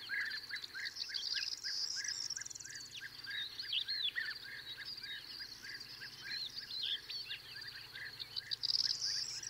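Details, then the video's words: European bee-eaters calling, a perched bird near and others in flight: many short rolled notes repeated steadily through the clip, mixed with continuous high trilling song of larks and a corn bunting. "European Bee Eater / CU Calls From A Perched Bird. Others Call In Flight."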